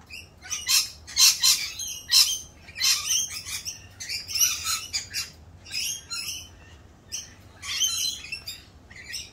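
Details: Rainbow lorikeets, louder than usual in mating season as they perform a mating dance; a busy flock chorus of harsh screeches and squawks in irregular bursts, several birds overlapping throughout.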